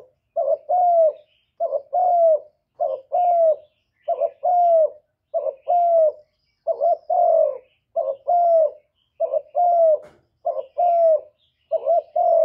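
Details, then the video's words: Cooing spotted dove used as a lure to excite other doves: about ten steady, closely spaced phrases, each a quick short note joined to a drawn-out, gently descending coo, recorded without background noise. "CU ĐẤT GÁY GỌI CHIÊU GÙ, thúc kèm kích bổi hay, chim cu đất gù, chim cu gáy mồi cây, tiếng cu cườm"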